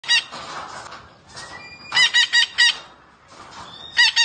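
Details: Green parrot calling: a few short harsh squawks, then a quick run of four loud harmonic squawks, a thin whistled tone, and two more squawks to close.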